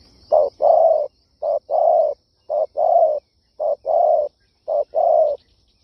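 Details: Spotted dove calling: low hollow cooing phrases, each a short note followed by a longer drawn-out coo, repeated five times about once a second, with a faint steady high insect hiss behind.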